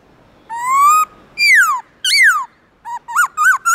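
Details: Black-throated laughingthrush in the morning, delivering its loud forest-style song: long drawn whistles, first rising, then two sliding downward, followed by a quick burst of short rising and falling whistled notes.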